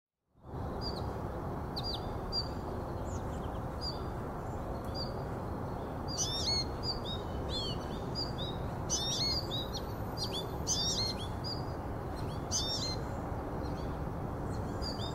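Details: American goldfinch calls in the South Meadows on 11 October 2023: thin, high twittering notes over steady low rumbling background noise.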